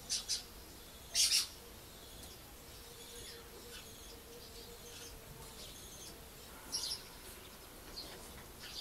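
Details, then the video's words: Lesser kestrel (Falco naumanni) at a breeding and rehabilitation centre at Levka, Sakar region, Bulgaria, in early July when young are flying and still fed by parents, gives brief, harsh, raspy calls in double and triple bursts over steady hiss. "Lesser Kestrel, Falco naumanni"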